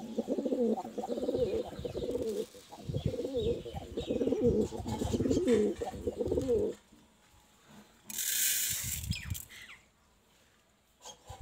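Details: Cute pigeon cooing in deep, rolling, repeated phrases for about seven seconds, each bubbling note pulsing low, followed by a short burst of hissing noise and quiet.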